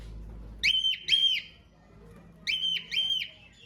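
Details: Cockatiel babies, recorded 5 June 2025 during breeding, make two pairs of clean whistled calls, each note arching briefly and ringing with overtones, in a quiet room.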